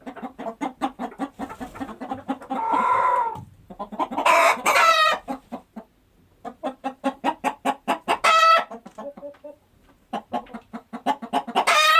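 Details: Chickens foraging through daily farm life give long runs of rapid, regular soft clucks, interrupted by a few loud rasping cackles and ringing squawks, with brief pauses between bursts.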